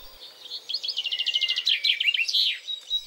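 A Chaffinch sings a bright, fast run of repeated notes that tumbles downward and ends in a short flourish, all in under three seconds.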